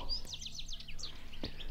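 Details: European goldfinch singing unseen high in trees at a site revived by nest boxes and plantings; rapid run of bright twittering, descending slurred notes, a sharp high call near the end, low hum underneath.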